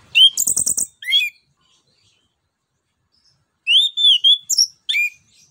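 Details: Orange-headed thrush (anis kembang) lure song: a fast buzzy rattled burst with sharp whistles, a long pause, then wavering whistled phrases and quick high notes.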